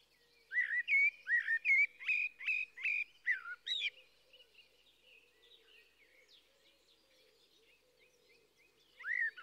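A blackbird sings a quick run of about eight clear, whistled notes, then softer twittering, with another fluted note at the end over a low steady hum.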